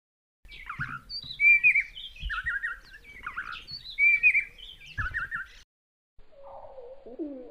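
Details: Spotted palm thrush singing a lively run of short, sharp whistled and chirping phrases with some lower notes. After a brief silence, a deeper, drawn-out passage follows as the song plays slowed down.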